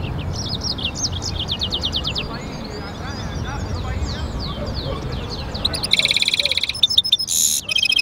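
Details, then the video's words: European goldfinch × canary hybrid (mule) singing: a quick series of bright, downslurred whistled notes repeated in rapid runs, then loud harsh buzzy bursts near the end, over steady low background noise. "European Goldfinch mule singing"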